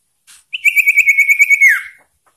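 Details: A single drawn-out common iora phrase from a persistent, varied song aimed at rivals: a steady, throbbing trilled whistle of about a dozen pulses, swooping downward at the end.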